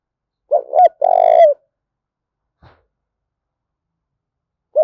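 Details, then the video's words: Spotted dove cooing to provoke fighting: two short low hooted notes followed by a longer, rolling, purred note that falls slightly at its end, with a faint click and a second phrase starting at the close. No other sounds. "Tiếng chim cu gáy thúc đấu"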